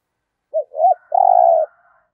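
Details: Spotted dove used as a trapping decoy, with a 'thổ'-style voice, giving a single phrase: two brief rising notes and a long, even, pulsing low coo lasting about half a second.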